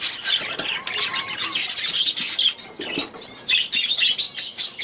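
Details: Budgerigars kept together in an aviary give bursts of scratchy, squeaky chatter and thin whistled chirps in irregular pulses, with short gaps of quieter twittering between louder clusters.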